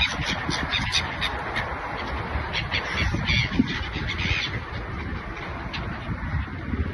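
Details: A flock of gulls over the sea in Oman gives harsh, overlapping squawks several times a second, half-buried in a steady roar of wind and surf.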